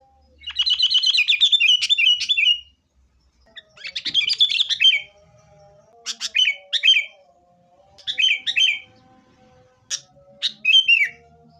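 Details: Sooty-headed bulbul, kept as a caged bird, in lively fighting-style song used as a lure to make other caged bulbuls sing: bursts of rapid chattering notes falling from high to lower pitch, repeated phrases separated by short pauses, faint low hum behind.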